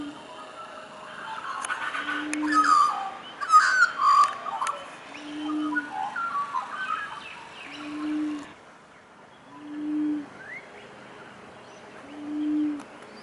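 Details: Laughing Turtle Dove in Western Australia giving low, even coos roughly every two seconds, five notes in all, while another bird's loud, varied chattering song dominates the first half before fading out.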